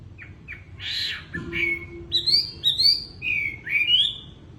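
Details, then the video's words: Wambi bird in lively song: a few short chirps and a harsh rasping burst, then a string of bright, pure whistles that rise and fall, with a faint steady low hum behind. "BURUNG WAMBI GACOR"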